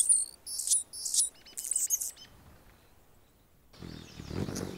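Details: Male Anna's hummingbird defending its territory while a female feeds a baby in the nest; high, scratchy chirp bursts in quick clusters over the first two seconds, then a quiet gap and low rumbling noise at the end.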